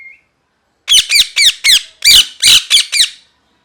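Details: Screaming, angry parrot lets out eight loud, grating squawks in quick succession, about four a second. Each is a ringing, downward-curving screech, with silence before and after the outburst.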